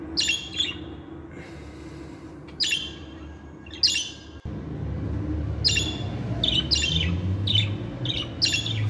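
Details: Pet budgerigars chirping: short bright chirps in small bursts, a few seconds apart, with quiet gaps over a steady low hum.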